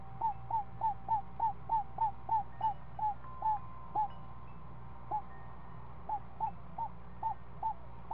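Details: Week-old screech owl owlet at the nest during a feeding, giving short hooked notes in a rapid run of about three per second. The notes pause briefly midway, then resume more sparsely over a low steady hum.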